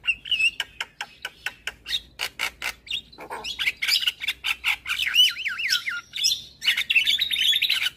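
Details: Javan myna (jalak kebo) in lively morning song, a tutor recording for other birds: evenly spaced harsh clicks and chirps speeding up into wavering, warbled whistles and scratchy trills.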